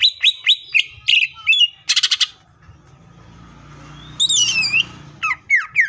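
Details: Greater green leafbird singing 'tembakan' style: quick high whistled chips, a fast stuttering burst, a quiet pause, then a loud looping whistle and a few steep downslurred notes.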